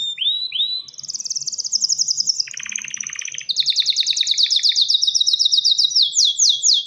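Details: ['Male canary calling a female to mate: two upswept whistles open into a bright rapid trill, a harsh buzzy rattle, further fast trills, and finally several sharp descending notes.']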